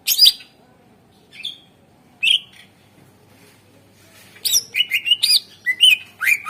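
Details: Greater green leafbird lure song for birds that will not sing: scattered loud chirps at first, then a quick, continuous run of whistled and twittered notes.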